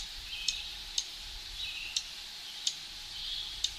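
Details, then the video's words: A Dark-eyed Junco on its breeding grounds in high forest of the Great Smoky Mountains gives five sharp, high, clicking chip notes at an uneven pace, roughly one every half to one second, over a faint steady hiss. "Dark Eyed Junco Call Sounds"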